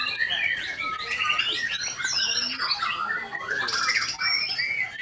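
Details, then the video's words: White-rumped shama (murai batu) singing a fast, varied run of whistled and chattering phrases, notes jumping and sliding with dense overlapping trills. "IN ACTION MURAI BATU SAKTI"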